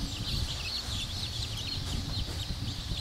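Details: Black Cochin bantam chicks, a crowded chorus of short high peeps and chirps running without pause over a steady low hum.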